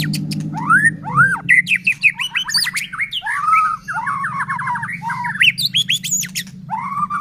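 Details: Energetic white-rumped shama song used as a lure to make other shamas sing: loud arching whistles, varied rapid slurred notes, a buzzy chattering run and high sharp squeaks, over a constant low hum.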